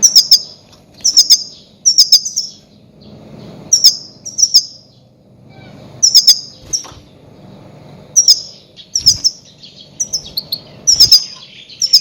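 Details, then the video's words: Loud goldfinch calls, used to lure grey-headed goldfinches for trapping: short, high, tinkling double and triple chirps repeated in regular clusters about every second across the whole stretch, with soft low hum between them. "Громкие крики щегла для ловли и охоты на Седоголового щегла"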